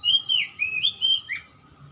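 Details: Song of an oriental magpie-robin, offered to rouse silent or lazy birds: several quick slurred whistles rising and falling, ending in a sharp downward swoop, with a soft hum beneath.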